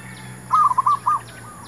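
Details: A single zebra dove phrase, sung to lure wild doves for trapping. Four soft, rounded coo notes in quick succession, followed by a faint trailing note, with light insect buzzing in the background.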